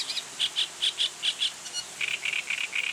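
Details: Reed warbler giving its advertising song, a chattering series of short notes, first in spaced pairs, then a faster run of buzzy repeated syllables, clear against quiet surroundings.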